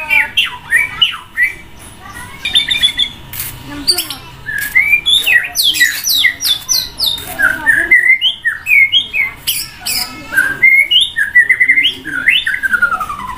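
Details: Caged white-rumped shama sunning beside a main road, a long varied outpouring: squeaky chatters, sweet rising and falling whistles and harsh scraping notes in fast strophes, with a brief pause midway.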